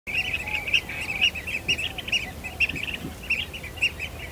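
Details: Blue-tailed bee-eaters in breeding season in Kinmen, some disrupting mating pairs, give rolling trilled calls around two kilohertz, repeated roughly twice a second by several birds, over a low background rumble.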